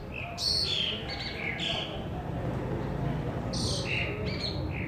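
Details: Pied myna, the Asian pied starling, singing in Pakistan: two loud bursts of mixed whistles and harsh squawky notes separated by a quieter stretch, over steady low-pitched background rumble.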